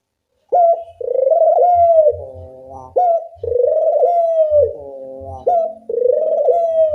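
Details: Loud lure recording of Barbary dove (puter) coos used to train doves to call: a short sharp note followed by a long, drawn-out, slightly wavering coo, repeated three times about every two and a half seconds.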